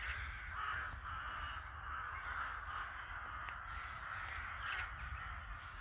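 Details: A large gathering of crows in a village in winter keeps up a dense, unbroken chorus of rasping caws, with occasional sharper calls above the din.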